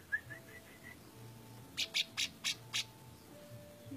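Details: Orange-spotted bulbul: a few faint rising whistled notes at the start, then a rapid series of five sharp, broadband chirps about every quarter second, with low hum in the background.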